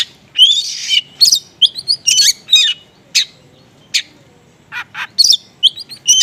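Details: Oriental magpie-robin singing konslet style with small-bird material, used to lure unresponsive magpie-robins: quick high whistled and chirped notes in tight clusters, some slurred downward, broken by brief gaps.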